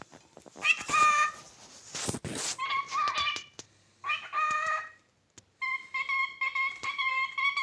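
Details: One of two male pet cockatiels gives a run of harmonic, whistled and chattering calls in short bursts separated by brief pauses.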